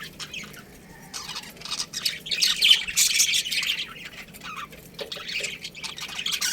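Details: Budgerigar colony chattering: quieter scattered chirps building into a dense burst of squeaky twittering in the middle, then easing off.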